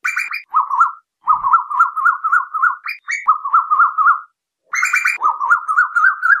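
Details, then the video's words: Night lure recording of Asian koel: steady runs of fast wavering notes, each run slightly rising, with a few higher sharp notes between them. "Tiếng Tu Hú Đánh Đêm 2024 ( File Hú 77 )"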